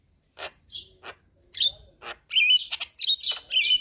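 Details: Javan myna song used as a tutor and lure for singing birds: a few scattered harsh notes and one short whistle, then a dense burst of bright chattering whistles and clicks in the last half.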